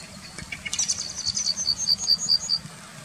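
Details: Yellowhammer singing in the town of Wittlich in 2019: a fairly faint series of short high notes repeated quickly for about two seconds, with no clear drawn-out ending, over low background hum.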